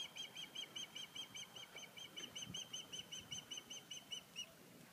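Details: High piping whistles from an osprey in the nest on Sanibel Island, repeated rapidly and evenly for about four seconds before stopping, with faint hiss and low rumble behind.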